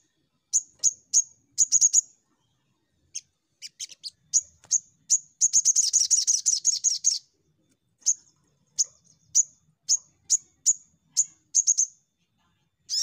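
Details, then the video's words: Crimson sunbird call played as a lure so untrained birds start singing fast. Sharp, high 'tsit' notes at irregular intervals, a long rapid buzzy chattering trill in the middle, then steady single high chips again. "Pancingan Sogon Bahan Cepat Nembak"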